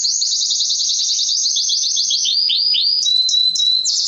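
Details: Mosaic canary, male, singing to stimulate mating and teach chicks: high rapid trill of repeated downward-sweeping notes, about three to four per second, then a sustained pure whistled tone with brief sharp chips.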